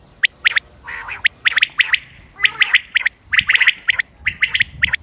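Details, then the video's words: Common quail giving short, sharp, high notes in quick, uneven bursts, several overlapping as if more than one bird calls, over faint low background noise; recorded 28 May 2025. "quail bird sounds common quail bird sounds بٹیر کی آواز"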